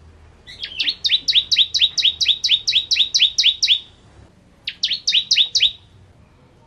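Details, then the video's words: Bar-winged prinia of the Kristal kind singing ngentrok-style, a long chain of rapid, paired high notes that each dip sharply, then a pause and a shorter repeat of the same rattling phrase. "Ciblek Kristal Gacor Full Ngentrok"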